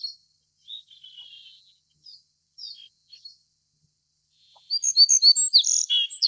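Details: Little bunting (Emberiza pusilla) produces a few isolated thin high notes with silent gaps, then a sudden loud, fast sequence of bright, ringing repeated chirps.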